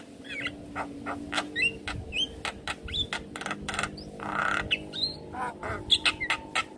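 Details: Javan myna, stressed after hearing another Javan myna's call, giving sharp clicks, short harsh bursts and brief rising whistles in an irregular string, with a broad rasping burst midway.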